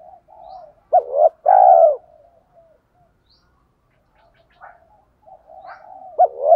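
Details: Spotted dove cooing in the thổ pha đồng style to draw wild doves into calling: one loud phrase of a short double note and a long coo, followed by soft scattered murmurs and the start of another phrase.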